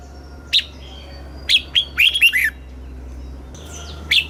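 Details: Southern-style song of a caged red-whiskered bulbul in Thailand, meant for teaching young birds and rousing others: isolated clear chirps, then a tight run of four or five bubbling, dropping notes, before a final sharp note.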